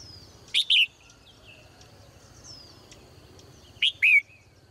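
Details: Caged female bird in the morning: two bright chirp pairs, the first near the start and the second about three seconds later, with faint high twitters between.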